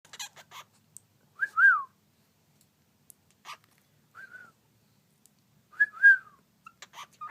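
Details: Pet cockatiels communicating indoors: a few soft rising-then-falling whistled calls spaced several seconds apart, with faint clicks and rustles between.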